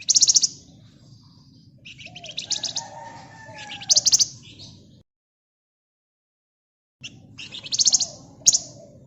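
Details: Flamboyan bird in full gacor voice, rapid ngebren and nyerecet chatter meant as a lure: loud high chirp bursts about every two seconds, scratchy trills between, a brief silent gap, then more bright chirping over low background hum.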